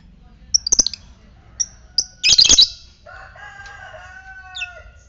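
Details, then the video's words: Fighter lovebird ticking (ngetik), intended to stimulate ngekek in other lovebirds: rapid high ticks, then a loud half-second burst of harsh chatter, followed by a soft wavering tonal hum. "Pancingan lovebird ngetik fighter merangsang ngekek"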